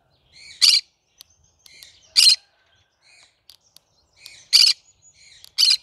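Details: Green-cheeked conure of the cinnamon colour, calling with four raspy screeches about every one and a half seconds, soft chattering notes filling the gaps.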